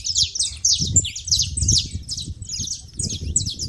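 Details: At a feeding spot, saffron finches chatter in quick bursts of high, slurred chirps repeated in clusters, with low thumping background noise beneath.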